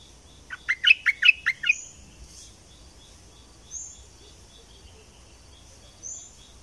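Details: Southern Thai bulbul (nok dok taeng) bursts into a rapid run of five sharp, ringing notes in under a second, followed by faint high thin whistles and a soft steady ticking in the background.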